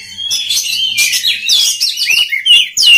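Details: Song of an oriental magpie-robin for training other magpie-robins: a buzzy run of mixed chirps leads to loud, clear whistled notes at the end.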